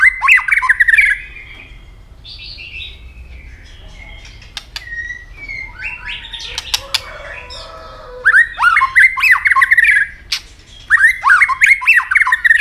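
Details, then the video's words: A hopping white-rumped shama sings a fighting song in early breeding condition, with tail snapping. Loud bursts of varied, warbling whistles open and close the recording. A quieter stretch between them holds scattered soft notes and sharp clicks. "chòe lửa chuyền hót đấu nết đập tạch đuôi chắc,kích chòe lửa hót đấu chớm lửa"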